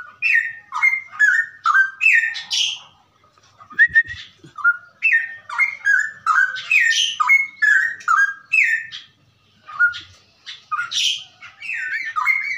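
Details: Straw-headed bulbul song in the ropelan style, played as a tutor recording for captive birds: rich, fluty whistled phrases, rising and falling warbles tumbling quickly one after another with short pauses, with no other clear sounds.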